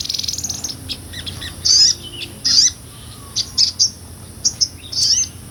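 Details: Sunbird, known as sogon or sotong, singing 'ngobra' for songbird tutoring: a soft high trill at first, then separate short, shrill, sharp bursts spaced irregularly with brief pauses between them.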